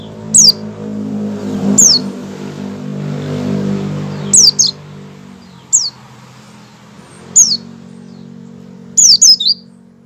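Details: White-eye call heard before full song, bright high descending slurs given singly or in quick pairs about every one to two seconds, above a steady low droning background hum.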